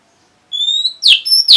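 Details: Orange-headed thrush (anis merah) reacting to a lure sound: a thin, steady high whistle, then two loud, sharp downward-sweeping notes in quick succession.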